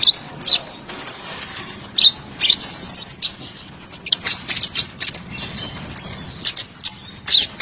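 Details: Kolibri ninja sunbird song offered as a masteran tutor recording: quick, thin, high-pitched chirps and short twitters, bunched in irregular bursts, clearer and closer toward the end, over light background hiss.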